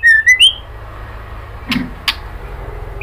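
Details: Kretekan call of a female white-rumped shama calling a male: three loud quick whistled notes open, followed by a pause and two sharp crackling clicks, with steady low hum.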